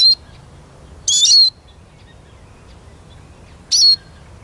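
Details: Eurasian siskin calling with short, shrill whistles that bend and then fade into a level thin tone, one note cut off at the start and two more following.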